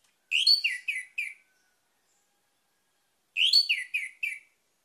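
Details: Orange-headed thrush singing as a lure to prompt other birds: two identical short phrases about three seconds apart, each made of four rich, descending whistled notes, with silence around them.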